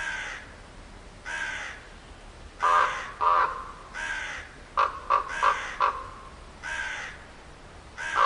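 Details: Crow calling with harsh, broadband caws in loose series, some louder and clipped, others fainter and farther off, a few quick doubled caws near the middle, spaced roughly a second apart.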